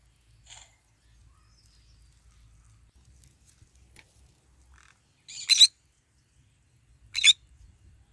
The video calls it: Parrot Sound : I am eating and singing and basking in the morning sun : Green cheek conure bird